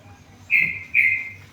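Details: Tame yellow-vented bulbul singing actively: two loud, slightly buzzy whistled notes about half a second apart, each held level then fading, over a faint low hum.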